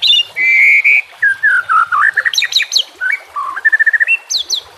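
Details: White-rumped shama song used as a training master track, with nature sounds and trickling water: long clear whistles, sliding whistled phrases, then rapid chattering notes and high rising whistles.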